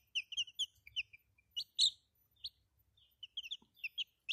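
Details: Young domestic chickens cheeping: sparse, piercing little peeps, some doubled or tripled, separated by short silences, one louder drawn-out note in the middle.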